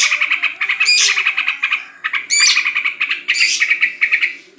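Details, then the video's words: Yellow-vented bulbul (trucukan) singing at a home bird contest during the corona period: lively, dense chattering phrases of quick repeated notes, broken by short pauses and a few high sharp accents. "Lomba Burung Libur Beginilah Aksi Trucukan #DiRumahAja Selama C0®0N4"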